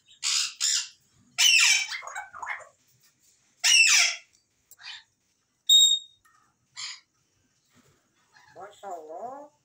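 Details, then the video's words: African grey parrot kept as a pet, said to speak the phrase "Masha Allah"; harsh broad squawks alternate with short voiced, speech-like bursts, ending in a wavering harmonic phrase, with gaps of silence between utterances. "Grey Parrot Masha Allah Bolta Hua"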